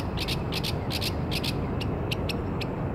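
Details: A Northern Mockingbird singing in Maryland on 27 March 2013 repeats a harsh, scratchy double note four times at a quick pace, then gives single dry chips, over steady low rumbling background noise.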